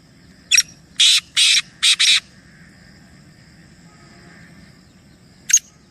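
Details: Three black francolins (kala teetar) calling; a short burst of harsh, grating notes, then a few longer rasping notes close together, a pause, and one more brief note, over a low rural background rumble.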